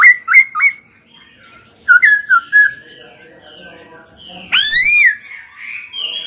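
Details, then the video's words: Young caged laughingthrush singing during training: three short bright whistles, a burst of quick slurred notes, soft chattering warble, then one loud harsh drawn-out ringing call and a final high whistle. "Khướu hót cực hay, kích bổi hót ngay"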